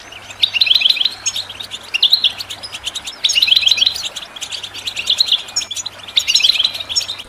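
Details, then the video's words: Goldfinch song used for training birds: short tinkling, twittering phrases about a second long, repeated roughly every second with brief pauses, bright and high, over a steady low hum. "The finest goldfinch chirps and songs for listening and training birds"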